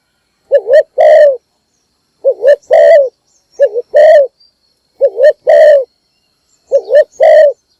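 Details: Spotted dove decoy giving its morning call to lure other doves: five repeated phrases roughly every one and a half seconds, each a paired rising coo then a longer, rough, resonant coo.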